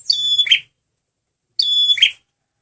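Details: Two identical loud phrases from a male red prinia lure recording, each a piercing high whistle running into a harsh buzzy rattle, about one and a half seconds apart.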